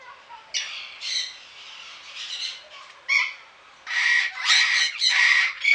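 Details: Eclectus parrot at the Pelhřimov Deanery Garden, 18 August 2017, uttering a jumble of short rasping squawks and chatter, uneven in rhythm and growing louder and denser toward the end.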